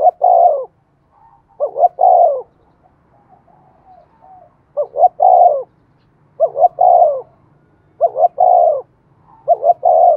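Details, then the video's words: Female spotted dove decoy call played to make doves coo. A steady series of about seven three-part hollow coos comes every one to two seconds, with faint soft murmurs between phrases. "tiếng cu mồi thúc bổi"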